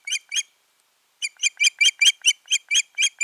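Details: At the nest, a pair of Ospreys on 14 June 2019: two clipped whistles, a pause of nearly a second, then a steady string of about ten loud, piercing notes delivered rapidly.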